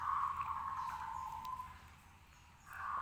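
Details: Zebra dove, local type, singing to get other doves answering: a drawn-out, fading cooing trill, a short quiet gap, then the next phrase beginning.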